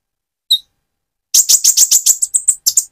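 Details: Van Hasselt's sunbird with spotted plumage singing as a stimulus for another bird: one thin squeak, a pause, then a fast, steady series of sharp, high rasping ticks, about ten in a second and a half.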